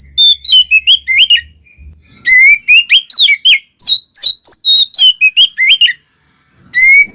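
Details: Oriental magpie-robin song intended to provoke other magpie-robins: rapid series of piercing whistled notes, many upslurred, with a short silent gap near the end before one more rising whistle.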